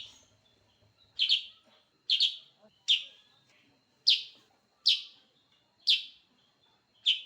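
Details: A sooty-headed bulbul sings energetically, gacor style: loud, sharp chirps, some doubled, recur about once a second after a quiet start, each note bright and slightly descending with a short ringing tail.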